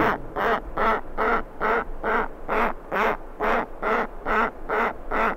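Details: A giant petrel chick begging for food gives hoarse, nasal, quacking notes, each about a third of a second long, repeated steadily about twice a second, with skuas and terns in the background.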